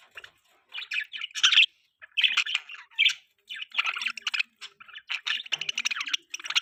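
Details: Pet budgerigars in the morning while eating, giving busy chirping: short scratchy warbled notes and squawky bursts in quick irregular runs with brief pauses, several birds overlapping.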